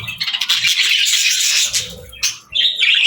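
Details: A brief burst of parakeet squawks and chirps, loud and rapid, dipping once and then rising again at the close.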